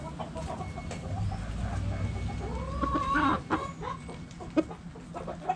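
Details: Chickens in a backyard coop, hens clucking softly and irregularly with one longer drawn call midway, low rumble underneath and sharp clicks near the end.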